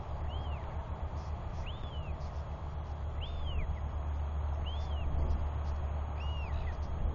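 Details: Royal albatross chicks wheeing during a father's feeding visit on 9 June 2021; five arched, rise-and-fall whistles at roughly 1.5 second intervals, the last fainter, over low steady wind noise.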